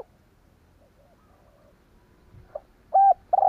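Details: Caged decoy spotted dove cooing to lure wild doves: after a quiet stretch, a couple of loud, hollow, low steady coo notes close together near the end.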